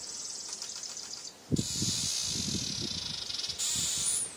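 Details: A male weaver attacking his reflection in a mirror each morning; a steady, loud, sizzling buzz runs under rapid tapping thumps, then resumes after a short break.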